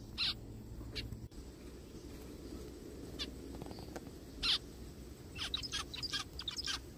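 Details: Forest recording of zebra finches: a loud nasal call at the start and another mid-way, followed by a rapid series of short harsh calls near the end, against a low continuous drone.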